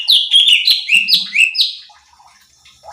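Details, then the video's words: Cucak cungkok bulbul singing, recorded to train and provoke other birds: a rapid chain of five or six sliding, slurred whistles, each stepping upward, then fading to quiet. "CUCAK CUNGKOK GACOR || Pancingan Cucak Cungkok Malas Bunyi | Bikin Emosi Burung Lain"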